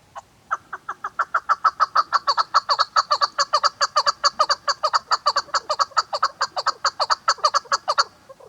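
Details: Female chukar partridge, a hunting bird, calling in a loud, rhythmic chuk-chuk series of about 140 notes per minute, building after a few spaced opening notes and running steadily for eight seconds.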